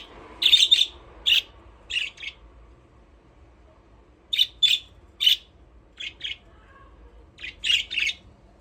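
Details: Budgerigars at play in their aviary, chattering in short, raspy chirps delivered in small clusters of two or three, separated by brief silent gaps, over a faint background hum.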